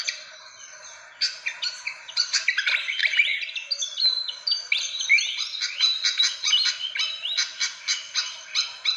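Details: Fantail lure calls: a quieter opening, then quick high chips and thin sliding whistles in a crowded chatter, ending in evenly spaced sharp notes.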